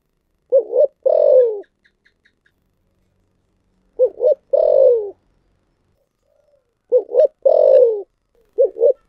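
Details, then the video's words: A spotted dove gives repeated thổ sấm style cooing: two clipped, rising notes, then a drawn-out, descending coo. The phrase recurs about every three seconds, four times, with the last one cut short. "cu gáy giọng thổ sấm thúc gù/ cu gáy giọng thổ sấm/ cu gáy thổ sấm"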